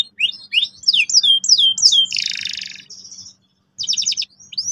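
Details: Canary song meant to lure young birds into singing: a string of clear downward-swept whistles, a harsh buzzy burst, a short silence, then a quick trill and a rising note.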